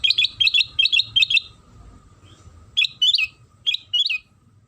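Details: Sooty-headed bulbul lure song for encouraging other bulbuls to sing: rapid doubled chirping notes repeated in a quick series, a short pause, then a few upward-sweeping whistled phrases, with a faint hum.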